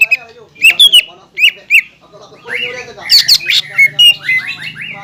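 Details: Green leafbird in lively song meant to provoke rivals, said to include kingfisher, magpie robin and shama sounds; sharp chips and squeaks, then a flowing series of slurred, downward whistles.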